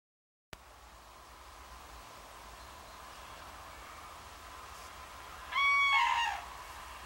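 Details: Common crane pair that spent the summer near Banneick in the Wendland, Lüchow-Dannenberg, northern Germany, trumpeting on 17 September 2013 toward cranes passing overhead on migration to winter quarters; after long quiet, a loud, brief burst of harmonic trumpeting notes.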